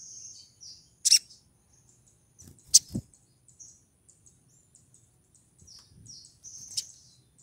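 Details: Female olive-backed sunbird in breeding condition calling for a male: sharp high chips at irregular intervals over soft high twittering, plus a low thump near the middle.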